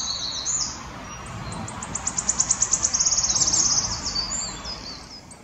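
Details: A singing male wood warbler at Dove Stone RSPB, Oldham, Greater Manchester, on 11 May 2021 gives a run of high, thin ticking notes that speed up into a shivering, silvery trill, with other birds calling faintly before it.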